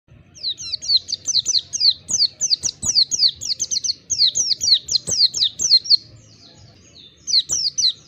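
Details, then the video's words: Oriental white-eye song in the ngalas style, played as a training recording to get other birds singing with open beaks: rapid runs of high, thin, downslurred whistled notes, a brief lull near the end, then a fresh burst. "Terapi pleci bahan agar cepat ngalas buka paruh"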